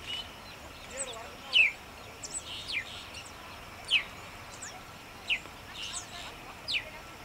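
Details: Nubian woodpecker at Bahir Dar, Ethiopia, June 18, 2021: short, sharp downslurred notes spaced irregularly a second or more apart, over faint twittering from other birds and steady background hiss.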